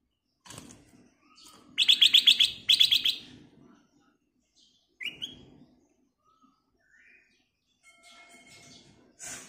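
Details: Black-crested bulbul singing energetically, a lure recording with full fill-in phrases; two loud bursts of rapid, ringing, harmonic notes, followed by a short rising whistle and softer scattered chirps.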